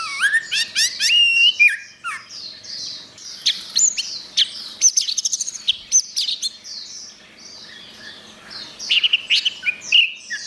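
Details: Orange-headed thrush singing in a master recording for training songbirds, a long varied stream of looping whistles, rapid chattering bursts and high trills, loud and continuous.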